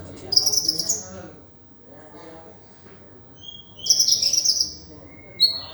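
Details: Sunbird song used to tutor kept songbirds, konin dacok style with rich filler: two bright, high twittering bursts separated by a quiet pause, then a short sharp note at the end.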